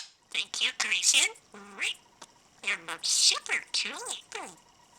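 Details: A pet budgerigar, a rescued bird found in a hospital parking lot, chatters at home in quick, high, raspy mimicked speech ("sweetie, I love you"), short word-like phrases with brief gaps, mixed with scratchy warbles and clicks.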